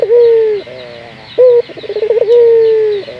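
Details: Local puter dove, used as a lure call to get other kept doves to coo; steady mid-pitched coos, a long slightly falling held note, a short note, then a fast stuttering run of pulses before another long falling coo.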